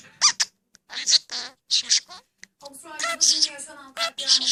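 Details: A pet budgerigar chatters in rapid, squeaky speech-like bursts, mimicking human talk in a high, scratchy voice, with a Turkish news broadcast audible.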